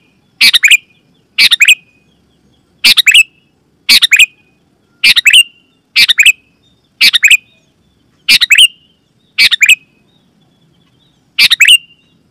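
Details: Loud sooty-headed bulbul lure call, played for wild forest birds and caged bulbuls at home; eleven bright doubled chirps with short ringing endings, roughly one per second, with a longer pause near the end.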